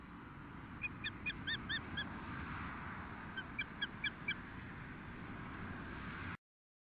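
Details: Osprey calling at its nest near Nelson, British Columbia, in the afternoon of 12 June 2014 during a feeding; two bursts of five or six sharp, evenly spaced whistled chirps over a constant low background hum.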